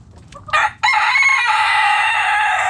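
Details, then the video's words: Backyard rooster crowing loudly, a short opening note then a long, strained, sustained harmonic tone held for nearly two seconds until the end. "Backyard Chickens Relaxing Video Sounds Noises Hens Clucking Roosters Crowing!"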